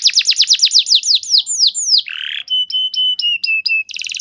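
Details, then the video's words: Canary lure song for training birds to sing, fast series of descending whistled notes, a brief harsh buzz, then a row of short flat whistles and a closing buzzy trill. "Terapi Burung Kenari Cepat Bunyi Gacor Dengan Suara Pancingan Kenari Gacor Nembak Panjang Ini"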